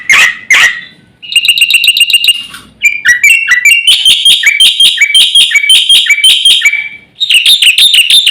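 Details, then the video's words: Black-winged myna master recording, a busy full-fill (isian) song used to provoke other birds: two harsh opening bursts, then rapid trills of bright whistled notes and rising-falling chatter in long, loud phrases. "suara masteran jalak putih gacor full isian"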